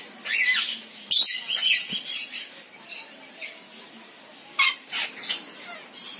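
Rainbow lorikeet giving harsh, grating screeches in irregular short bursts, about eight squawks in six seconds, over a faint background hiss.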